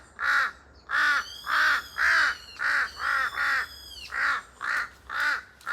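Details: A pair of large-billed crows calling noisily in a forest, cries echoing: about ten hoarse, harsh caws in a steady run, roughly two per second, with thin high whistles of another bird above.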